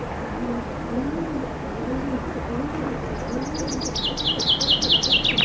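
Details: Common chaffinch singing loudly in summer from a fairly high branch outside a window: a quick, bright run of notes stepping down in pitch and speeding up at the end; soft dove-like cooing beneath it earlier.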